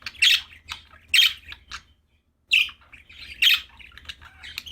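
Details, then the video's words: Cheerful budgies chattering indoors, loud rasping squawk-chirps about once a second, a short pause, then denser warbling twitter with more harsh bursts over soft background chatter. "Happy budgies chirping sound for lonely birds"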